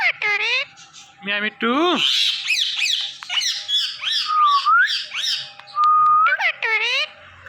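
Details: Hand-tame talking parrot at home, speaking and dancing joyfully: harsh rapid squawks and chattering, voice-like syllables, broken by two clear sliding whistles, one dipping then rising, one long and level.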